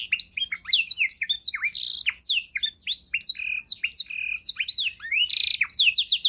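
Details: Richly varied canary song in the 'isian' style, made as tutor material for songbirds: continuous tumbling high chirps, slurred whistles and short buzzy notes with almost no pauses.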